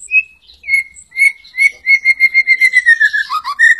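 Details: Lure song of a white-rumped shama, used to set other shamas singing: clear whistled notes, first spaced, then repeated rapidly about three per second on one pitch, sliding lower toward the end.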